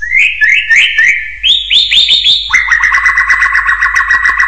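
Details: Hill myna giving loud, clear whistled calls: a run of short rising slurs, then a quick train of lower, even notes repeated about four times a second. No other sounds.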